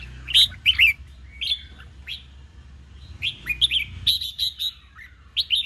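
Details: Red-whiskered bulbul contest singing aimed at pushing fresh wild-caught birds to find their voice. Sweet whistled phrases in quick bursts alternate with softer notes over a steady low background hum.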